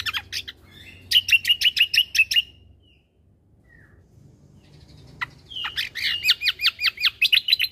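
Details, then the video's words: Greater green leafbird (cucak kombo) in energetic song for training caged birds. A quick series of sharp repeated notes and a short silence, then a second fast run of slurred whistles rising and falling in steady rhythm. "Masteran Burung Full Isian Tembakan - Cucak Kombo Gacor Untuk Masteran Burung"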